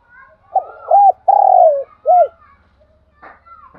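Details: Cooing of a spotted dove, meant to prompt other birds to coo quickly. Two short coos lead into a long sliding note and a final short coo, followed by faint fainter calls and soft background noise.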